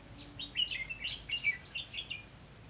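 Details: Decoy red-whiskered bulbul singing at a trap on 18 September 2016; a lively warbled phrase of rising and falling whistled notes, several loud bursts within under three seconds, clear above quiet background.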